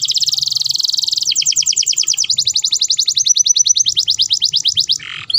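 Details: Canary in breeding condition, song to prompt mating: a loud, unbroken run of very rapid high trills, shifting into slower evenly spaced chopped notes about ten per second, ending on a short buzz.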